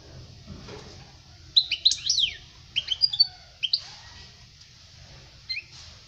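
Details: European goldfinch song for teaching young birds: a few scattered bursts of high twittering and downslurred notes, with quiet gaps between phrases.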